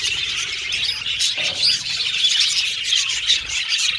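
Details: Colourful pet Australian budgerigars whistle, chatter and sing, a continuous high warbling with short clear whistles standing out over the group chatter.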